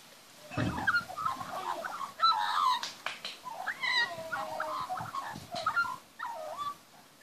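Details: Young magpies being fed in a backyard: varied warbling and gurgling notes, some whistled and sliding, in irregular bursts over a loud low thump near the start, with soft rustling throughout.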